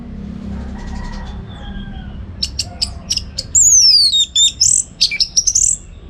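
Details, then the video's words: From North Bali, a song recording used to train competition birds: an Orange-headed thrush singing a rich, varied run of high whistles, sharp chips and sweeping slurred notes, delivered fast with little repetition; faint background hum. "ANIS MERAH Gacor"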